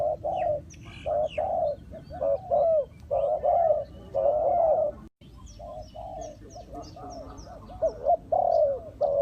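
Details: Spotted doves calling during trapping, a decoy luring wild doves. Mellow cooing phrases, each a short coo followed by a longer falling croo, repeat about once a second, with overlapping callers and a brief silence midway.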